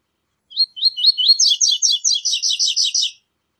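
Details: Double-collared seedeater (coleiro) singing the song style called "tui tui zel zel": a bright, high chirping phrase of about a dozen quick notes, a few separate chirps first, then a fast, slightly buzzy repeated run. No other sounds.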